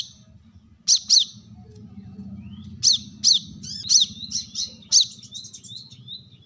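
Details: Brown-throated sunbird calling rivals: sharp, high chips in pairs near 1 and 3 seconds, then a quicker run of shrill, arching notes with thin descending trailers; faint low hum underneath.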